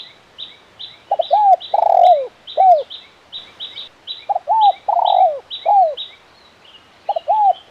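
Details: Spotted dove singing KUK 1 style, crisp and lively: repeated phrases of short double notes, a long coo and a falling tail note, over steady high, rapid chirping from another small bird.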